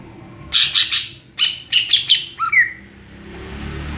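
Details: Cucak ijo, the greater green leafbird, singing ngeplong style: a quick series of loud, buzzy chattering notes, then two short upslurred whistles, with background hiss.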